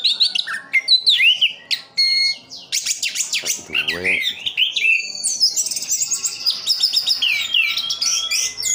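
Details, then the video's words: Caged Orange-headed thrush kept in Sidoarjo, East Java, singing a rich, fast medley of whistles, chattering trills and sharp mimicked-sounding notes, with steady loud phrases throughout. "Anis kembang "Anti Gempa". Rooll full"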